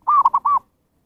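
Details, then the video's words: One zebra dove phrase, a lure call used to draw in wild birds: an even, arched coo, two short punchy notes, and a final drawn-out coo, all at a steady mid pitch, then silence. "SUARA PIKAT PERKUTUT นกพิราบชวา Chim Cu Vằn | memanggil burung liar"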